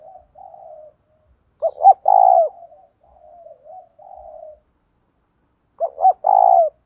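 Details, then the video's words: Spotted dove used as a decoy, with a 'giọng thổ' voice, calls in 'gáy gọi 1 hậu' style to provoke wild males. Quiet murmured coos alternate with two loud phrases of short hoots closing on a sustained coo. "Tiếng cu mồi thúc. gáy gọi kích bổi chuẩn / Cu gáy mồi gáy gọi 1 hậu / Chim cu gáy mồi kích trống"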